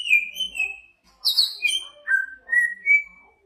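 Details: Big-bodied greater green leafbird from Banyuwangi, a contest training songbird, delivers varied whistled phrases: a descending slur, a sharp high chatter, then a series of clear level and rising whistles in quick succession.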